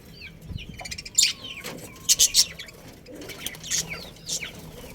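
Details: Budgerigar chirping from a colony with a breeding pair: soft, curling warbles broken by a few loud, harsh bursts, the strongest near the middle of the clip.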